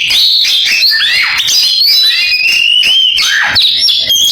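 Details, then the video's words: Canary-style singing from an Oriental magpie-robin: fast, varied high whistles and chirps, with a few sharp downward-sweeping notes and long gliding phrases run together without pause. "Suara Kacer kenari falk"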